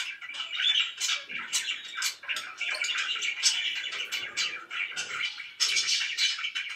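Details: Loud pet budgerigars twitter and warble in a thick, overlapping chorus of quick high chirps, with some faint low rustling underneath.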